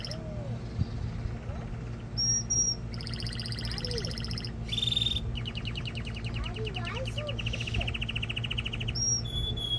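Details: Varied canary song for mating stimulation and tutoring young birds: short whistles and high trills alternate with rolling rattles and rising slurs, over a steady low background hum.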